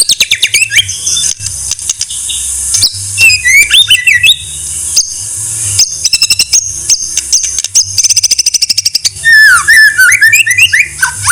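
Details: Varied white-rumped shama song for training other songbirds: swooping whistles alternate with fast, regular runs of sharp high ticks and sweeping, tumbling note sequences.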